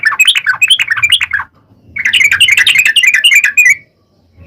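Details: Sooty-headed bulbul in lively, long rapid 'ropel' song, used as a lure to make other bulbuls sing: two dense bursts of bubbly, chattering notes jumping up and down, the second longer, with a short pause between.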